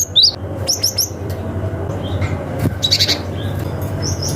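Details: Cinereous tit calling to rivals in forest style, a lure for young forest birds: a few high, quick chirps early, then softer scattered notes and a click, over low background rumble.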